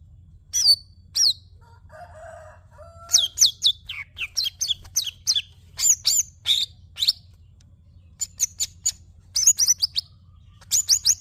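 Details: Greater green leafbird singing a varied, high-pitched sequence of sharp chirps and whistled notes in quick clusters, with a brief lower, buzzy phrase near the start and a quiet low hum beneath.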